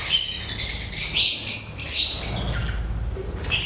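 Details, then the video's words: Several lovebirds giving sharp, high chirps and short squeaks in quick bursts, the chatter thinning briefly near the end before resuming. "Love birds chirping sound"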